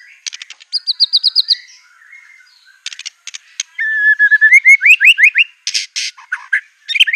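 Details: Energetic white-rumped shama song with imitated canary, cililin, cungkok and LB kapas phrases: a short high trill, scattered clicks, then a series of rising whistled notes climbing in pitch, ending in harsh buzzy bursts.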